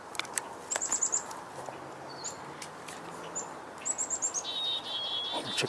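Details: A Black-capped Chickadee, heard on a June morning walk with woodpeckers nearby, gives quick runs of thin, very high notes, then a lower, buzzy, drawn-out series near the end, with footsteps and handling noises clicking throughout.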